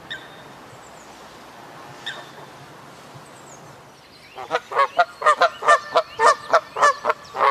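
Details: Canada goose giving a fast run of loud, nasal, harmonic honks, about a dozen in three seconds, after roughly four seconds of near quiet with only faint, distant calls in the background.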